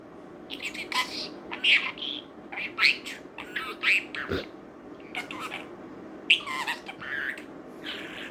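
A pet budgerigar chatters in quick, squeaky bursts of mimicked speech mixed with thin whistles.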